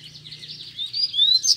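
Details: Double-collared seedeater (coleiro), a caged male challenging two free birds to fight, sings a rapid run of high buzzy notes rising into sharp whistled upslurs, loud and close.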